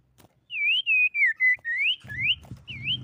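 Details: Common iora, said to be a female, singing a lure song meant to provoke rivals into answering. Bright looping whistles come one after another about four a second, with soft low rumbling under the last notes.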